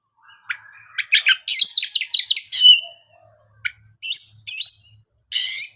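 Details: Singing Oriental magpie-robin, played to make other birds answer: a fast run of bright, evenly spaced whistled notes, then a sliding whistle, followed by scattered chirps and a final harsh buzzy note.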